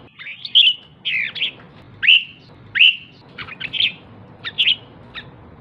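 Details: Female red-whiskered bulbul calling to excite males: separate high, slurred whistled notes and short chirps spaced roughly every half to one second, with soft background hiss.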